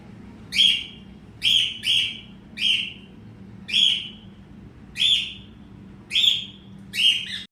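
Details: Pet cockatiel singing in good weather: clear, sharp whistled chirps, each rising quickly and then falling away, repeated eight times at irregular intervals of about one second, over a quiet low hum.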